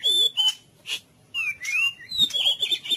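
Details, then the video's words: White-rumped shama song used as therapy sound to stir a silent, listless bird into singing: clear high whistled notes, some sliding down, in short bursts separated by brief pauses, with a faint low hum beneath. "Musik terapi untuk murai bisu dan loyo"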